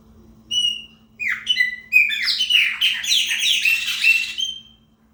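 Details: Chopi blackbird singing to mark territory, opening with a short whistled note and slurred downward notes, then breaking into a dense, rapid jumble of varied chirps and whistles.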